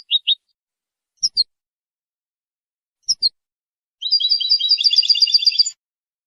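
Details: European goldfinch singing to defend territory and attract females: a few isolated high chips separated by pauses, then a sustained, fast, buzzy trill lasting nearly two seconds.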